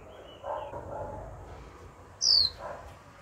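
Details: Female Japanese white-eye kept as a cage bird, giving a 'chíu' call meant to provoke a male into singing: one sharp, high whistled note that slides downward, with faint low background sounds.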